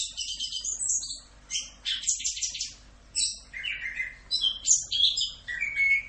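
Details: Chestnut-capped thrush, known locally as anis kembang, singing full Rock'n Roll masteran: harsh, buzzy high bursts give way to clearer whistled notes and thin, pure tones near the end.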